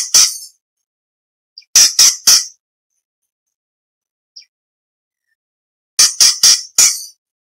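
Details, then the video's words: Orange-bellied leafbird (cucak cungkok) song, offered as competition training material for shama, green leafbird and magpie-robin: sharp, very high squeaky chips in tight bursts of two to four, separated by silent gaps. "Cucak Cungkok Istimewa - Isian variasi Materi Lomba For Murai C.Ijo Kacer / Orange Bellied Leafbird"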